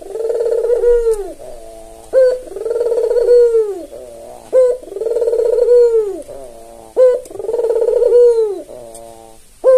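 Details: White red-eyed albino Barbary dove, tame and caged, kept as a lure and as a model for doves that seldom call, gives four cycles of a brief bright rising note followed by a drawn-out, throbbing low coo.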